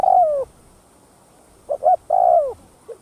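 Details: Spotted dove, 'thúc gù' cooing meant to excite decoy doves: a long loud hoot sliding downward, a silent gap, two quick accented coos, and another long falling hoot.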